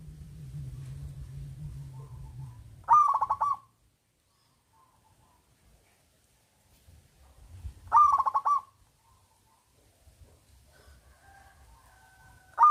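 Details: Local zebra dove with a big voice, used to lure quiet doves into singing: a low rough sound at the start, then two rolling, beaded coo phrases about five seconds apart, and another beginning at the end.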